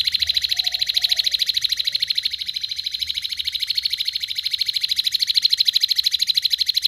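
A canary sings a loud, high, buzzy rolling trill that pulses steadily without a break. A faint lower whistle is heard briefly near the start.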